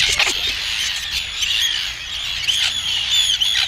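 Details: Arctic terns on the Farne Islands, UK, with an adult feeding chicks, give harsh, high, grating calls that overlap continuously, several birds chattering at once and sharp squeals rising above the din.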